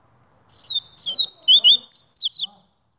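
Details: Double-collared seedeater delivering its 'Gladiador' song: a two-second burst of rapid, bright, downward-sliding whistles, some rising sharply before falling, with a faint murmur underneath.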